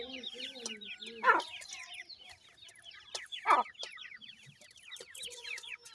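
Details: Several francolin chicks peep continuously in quick, high descending chirps. Soft low clucks open the recording, and two louder harsh bursts stand out at about one and three and a half seconds.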